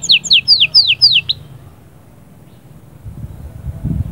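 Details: Canary singing to stimulate the female: five loud down-slurred whistled notes in quick succession, then silence with low background rumble.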